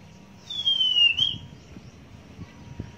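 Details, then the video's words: Huýt cô bird at a trapping site in the Vietnamese countryside with a caged female decoy, first rain of the season; one long, clear whistle sliding gently downward, then a short upward flick, over faint low background rumble. "Bẫy Chim Huýt Cô"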